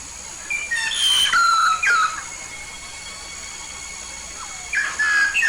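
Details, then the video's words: Yellow-faced myna from Papua, an eager singer, giving a burst of bright, overlapping whistles and squeals, a long pause with steady hiss, then another short whistled phrase at the close. "burung jalak paru kuning"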